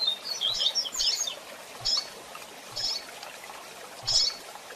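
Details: Female double-collared seedeater calling to excite the male: thin, high chirps and short twittering bursts, several quick notes at first, then single chirps about once a second, faint over a steady hiss.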